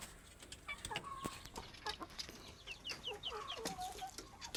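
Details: Plump chickens making short clucks and high, thin peeping notes in quick scattered bursts, mixed with clicks and handling noises, just before a person speaks.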